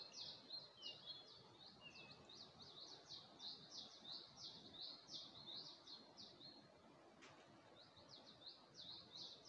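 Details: At early dawn in Gulmit, Hunza, near the Passu cones, a bird delivers a long run of rapid, high, clipped chirps, pausing briefly before resuming, with a single sharp click and soft background hiss.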